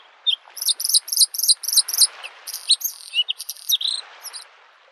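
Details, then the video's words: Spring lakeside Bluethroat song: rapid high buzzy rattling phrases repeated in quick succession, mixed with a few lower whistled chirps, over faint waves. "The sound of waves and the singing of the bird Varakushki"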